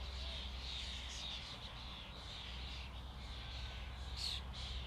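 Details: Flock of common starlings giving a dense, continuous chattering and twittering murmur, with many overlapping squeaky notes and no clear pauses, over a steady low hum.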